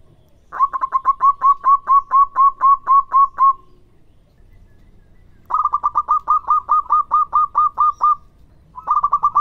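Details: Local zebra dove from Indonesia, a loud frequent singer used to lure and train others: long runs of rapid, evenly spaced, clipped cooing notes, around a dozen per burst, separated by a two-second quiet gap.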